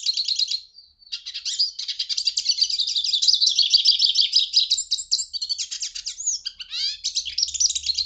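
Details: Continuous hooded siskin song: a short twittered phrase, a brief gap, then a long jumbled run of high chirps, buzzes and rising slurred whistles.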